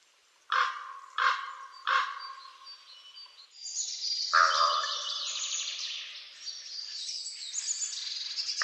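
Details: Black crow calling three loud, rough caws at a steady pace, then a dense twittering chorus of other birds takes over with a further caw mixed in.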